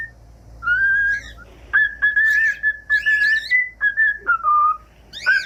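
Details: Cockatiel whistling a tune for training other cockatiels: a chain of level whistled notes broken by short harsh chirps, ending in a slightly falling phrase and one more chirp.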